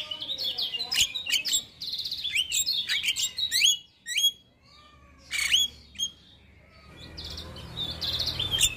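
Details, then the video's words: Vigorous male Javan myna in the morning delivering a varied fill-in song: dense high chirps and trills, short pauses broken by squeaky whistled notes, then a renewed burst of rapid twittering over a faint hum. "Masteran Jalak Kebo Pagi Hari Jalak Kebo Jantan Gacor Full isian"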